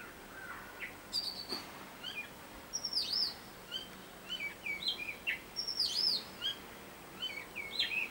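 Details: Robin, known as a great mimic, in a varied tune: sharp high arching whistles alternate with lower curling slurs, phrases tumbling one after another with only short pauses, faint background hiss.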